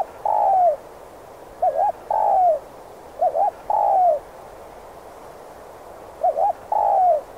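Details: Repeated spotted dove coos meant to lure wild doves into traps: several phrases of a short warbling double note and a longer, downward-sliding coo, with gaps of up to two seconds.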